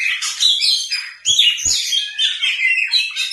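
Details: White-rumped shama, a kept cage bird, delivering a fast, varied song of bright whistles, chatters and slurred notes in unbroken bursts, with a few soft knocks in the background.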